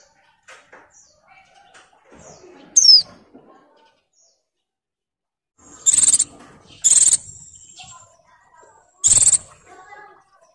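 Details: Molting female white-eye in breeding condition calls males with one high descending whistle, then three loud buzzy high bursts a second or two apart, with soft faint chirps and quiet gaps between them.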